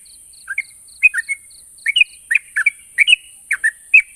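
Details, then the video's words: Yellow-vented bulbul song intended to get silent birds calling back: opening faint high ticks, then babbling chirped couplets of warm, slurred notes repeated steadily, with a continuous high background hiss. "Burung trucuk macet bunyi dan mandek pasti nyaut dengar suara burung trucuk ini"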